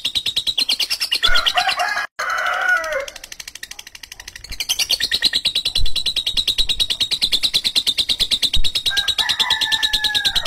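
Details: Harsh, drawn-out ngekek from a lovebird, a rapid rattling stream of grating pulses that briefly drops out and softens, then resumes loud, ending with a short descending squawk.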